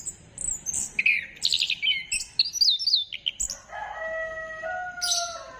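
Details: Orange-headed thrush (anis kembang) singing, a lure recording dated 15 December 2025, meant to spur other birds into song. Quick high whistled and chattering notes come first, then long, steady, lower level tones.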